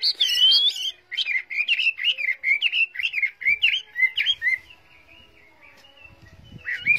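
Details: Caged Chinese hwamei (họa mi), a tame bird singing well, gives a rich fluent song: a rising whistle, then a run of about a dozen quick repeated warbled notes, fading into a thin trailing whistle before a final phrase.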